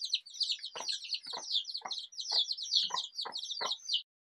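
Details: Several Desi chicks cheeping steadily with high, piping notes that slur downward, while short, soft, low knocks sound about every half second beneath the chorus.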